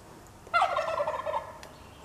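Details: Roughly one-year-old Narragansett turkey giving a single brief gobble, a rattling, harmonic burst of about a second that fades toward the end, over steady background noise.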